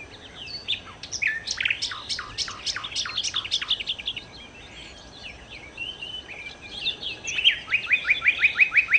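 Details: Song of the nightingale, known locally as sikatan londo: a long series of sharp descending chip notes repeated quickly, a softer twittering passage, then a bright whistle followed by a fast run of clipped repeated notes.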